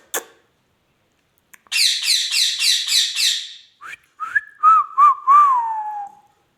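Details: Pet rose-ringed parakeet vocalising: a run of about seven harsh, buzzy repeated notes, then a few short chirps and a series of clear, wavering whistles that slide downward at the end.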